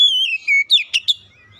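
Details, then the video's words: Brief burst of Oriental magpie-robin lure song, meant to start reluctant birds singing: a long, clear, gently descending whistle followed by three quick, sharp notes. "kicauan pemikat Kacer bahan susah bunyi langsung gacor"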